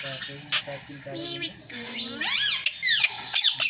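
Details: Talking parrot voicing phrases like sita-ram and jay shree ram; low muffled voice-like murmurs come first, then a run of shrill, sharply arched syllables and squeaky bursts in quick succession, indoors.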